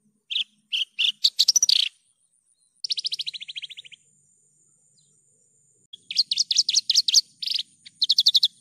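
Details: Javan bush lark song for tutoring caged birds: scattered chirps and a buzzy trill, then a two-second pause and bursts of rapid repeated notes, with a faint low hum.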